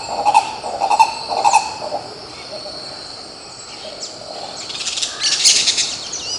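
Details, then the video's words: Green ibis (Mesembrinibis cayennensis) in Pirenópolis, Goiás, Brazil, uttering three loud low guttural notes about half a second apart, then quiet, followed by shrill high calls from other birds. "Canto do Pássaro Coró coró, Som do CORO CORÓ CANTANDO"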